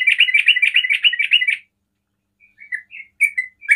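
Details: Sooty-headed bulbul singing 'ropel' style to stir other bulbuls; opens with a fast rattling trill of repeated liquid notes lasting over a second, followed by silence and a few separate chirps.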